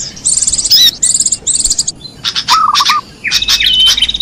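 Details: High rattling trills in three quick bursts open this small-bird lure sound, followed by sharp chips, a short low chattering run, and a thin rising whistle at the close.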